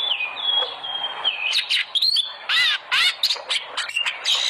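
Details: Lure recording of oriental magpie-robin song meant to set pet birds singing: long sustained whistles, then loud harsh rasping bursts alternating with bright sliding whistled notes.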